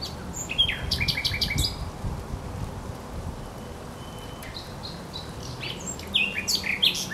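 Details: Żerań Canal, 24 April 2022: a thrush nightingale delivers a clicking rattle followed by a quiet gap and another short burst of sharp knocking notes and whistles.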